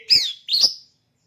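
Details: Caged oriental magpie-robin prepared for a song contest gives two quick bright sweeping whistled notes, then silence.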